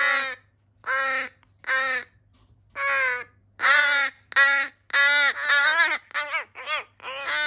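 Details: Noisy rescued crow chicks, some disabled, on 14 July 2020 giving repeated hoarse caws, spaced at first, then crowding together faster and overlapping toward the end.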